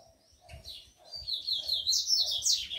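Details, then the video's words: Tico-tico males roused to fight, kept with females: bright, jumbled high chirps and warbling notes building louder over about three seconds, over a soft repeated low thumping in the background. "TICOTICO QUENTE E FEMIA FOGOSA"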